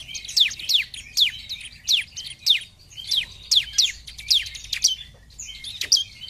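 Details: Ciblek, the bar-winged prinia, in loud lure song: a long series of downslurred, whistled high chirps repeated about twice a second, with a few softer notes near the close.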